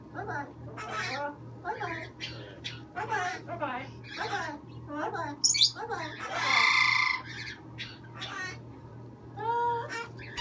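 A green-winged macaw gives a run of throaty, speech-like calls, about one every second, then a harsh, rasping squawk near the middle. A steady low electrical hum runs underneath.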